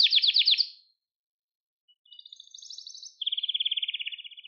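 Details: Canary song for training young birds: a short loud trill, a second of silence, a soft higher trill, then a fast, even low trill of repeated notes.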